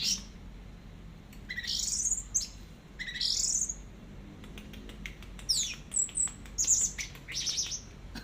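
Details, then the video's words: Orange-headed thrush, long tutor recording in teler style: upward-sweeping whistles separated by short pauses, then a faster jumble of high thin chirps and squeaks. "BURUNG ANIS MERAH TELER"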